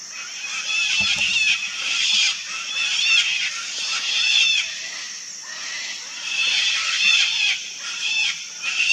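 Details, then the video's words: Noisy wild colony of sulphur-crested cockatoos, loud grating screeches rising and falling in waves every second or two as several birds call together, above a continuous high insect buzz. "Parrot colony - Sulphur-crested cockatoo (Cacatua galerita)"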